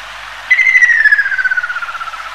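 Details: A Ruddy kingfisher (Halcyon coromanda) gives its long, trilled whistle that slides steadily downward and slows over about two seconds, with a faint low hum beneath.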